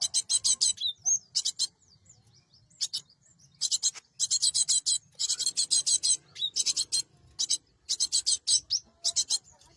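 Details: Cinereous tit (gelatik batu), played as a lure for catching birds, gives long runs of rapid, rasping, buzzy high notes in dense groups, broken by short pauses and a few sharp single chips.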